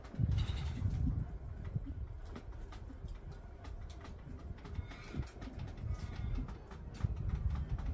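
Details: Male Common Bronzewing courting his mate in a backyard, phone-recorded, giving a deep, low growling 'oom' during the first second, then quieter low rumbles under scattered sharp splashing clicks from a young Red-capped Parrot bathing nearby.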